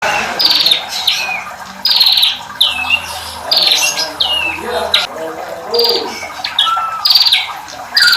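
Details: Bar-winged prinia voice mixed with female calls: loud, harsh, squeaky notes with falling and looping strokes, given in bursts of several notes with short gaps between them.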